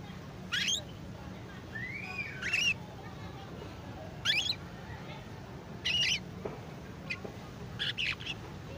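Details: A young canary learning to sing gives sharp, high, slightly buzzy chirps in separate bursts roughly every one to two seconds, with one upward-sweeping whistle. Faint low noise runs underneath.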